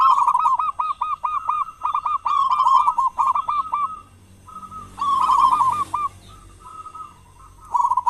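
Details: Zebra dove of a local strain, singing often and loudly as a lure for other doves in morning and evening; dense rapid strings of short coos, a brief hiss of noise midway, then more cooing.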